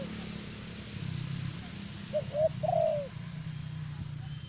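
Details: Decoy spotted dove of the thổ bầu kind from Vietnam, giving one cooing phrase of two quick soft hoots and a longer descending coo amid low background rumble.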